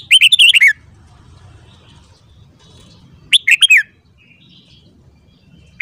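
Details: Morning song of a red-whiskered bulbul, recorded to train singing. A rapid warbled phrase of about six rolling notes, quiet for a few seconds, then a similar shorter phrase and one closing note. Faint low hum.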